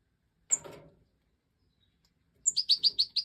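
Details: Major goldfinch (Stieglitz Major) recorded in breeding season 2024: a short rough burst, a pause, then a quick series of five clear, high tinkling notes.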